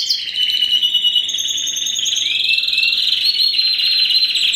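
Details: Spanish Timbrado canary crossed with wild canary, bred 2015, delivering a long unbroken metallic trill held at one pitch with a slight rise midway, like a continuous ringing roll.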